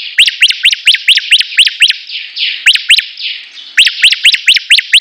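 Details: Competing Bar-winged prinias, called ciblek, sing steadily: rapid runs of bright upward-sweeping notes, about two to three per second, broken in the middle by a couple of harsh buzzy strokes before the rising notes resume.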